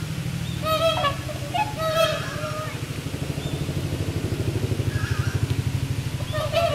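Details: Four swans at the Inokashira Park aquatic animal garden on 22 November 2016, around 4 pm, calling in turn as pairs raise and lower their necks: loud nasal, honking trumpet notes in short bursts over a steady low mechanical rumble.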